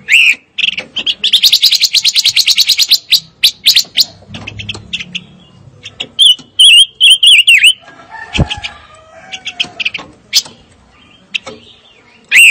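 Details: Fire-tailed myzornis song: a long fast trill of high chips, scattered clicks, then a run of loud whistled notes that dip and rise, and a final bent whistle.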